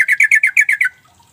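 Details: Calling sooty-headed bulbul, a lure for birds that rarely sing. Seven rough, chattering notes come at once, evenly spaced about a tenth of a second apart, then fade to quiet.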